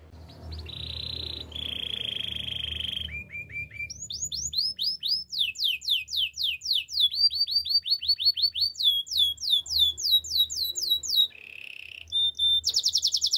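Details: Canary singing for training, opening with steady buzzy trills at two pitches, then long series of rapid swooping whistled notes, closing with a short low trill and high tinkling notes.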